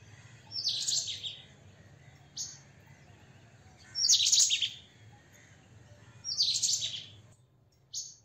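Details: White-throated kingfisher (Halcyon smyrnensis) giving three loud, harsh, chattering bursts about every three seconds, each followed by a brief high note, over a low background hum.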